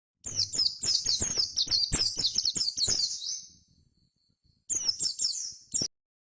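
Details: Oriental white-eye (pleci) in energetic wild-style 'gacor ngalas' singing, used as a lure to prompt birds to sing: dense, high twittering chatter of quick sweeping notes for three seconds, a pause, then a shorter burst.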